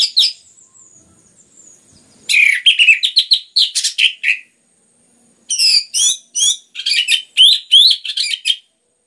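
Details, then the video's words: Orange-headed thrush singing in a recording meant to stimulate other birds to sing, Indonesia: two long bursts of fast, varied chirps and whistled notes, rich and tumbling, separated by a short pause. "PANCINGAN anis merah ngeplong gacor rapat cocok untuk MERANGSANG bunyi tambah GACOR"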